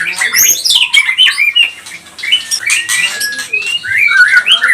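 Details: Energetic white-rumped shama song for provoking other birds: dense, fast mix of whistles, squeaky high notes and buzzy chatter, ending with clear upslurred whistles.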